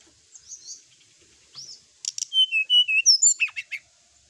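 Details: Sooty-headed bulbul in lively night-time song, recorded for training. Soft high chirps lead into a loud, quick series of about ten clear whistled notes that rise and fall, ending in short downward swoops.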